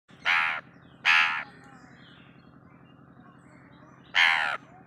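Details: A pet green Indian ringneck parrot imitates a crow with three harsh, nasal caws, two close together and one after a pause, over a steady low mechanical hum.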